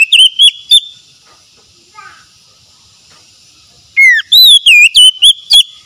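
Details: Oriental magpie-robin song meant to restore a stressed, silent bird's singing: loud whistled notes, a pause with faint descending twitters, then a burst of loud looping, slurred whistles.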